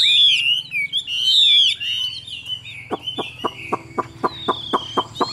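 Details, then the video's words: Chinese hwamei in a cage, Vietnam: two seconds of loud, rich whistled song that fades into a descending warble, followed by a steady series of sharp taps about four per second and a faint high whistle. "Họa Mi Dáng Dấp Bóng Bộ Đẹp, Hót Tốt Giọng Hay"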